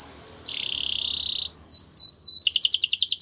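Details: Brief canary training song: a steady buzzy trill, then three loud high notes sweeping downward, and a quick pulsing warble to close.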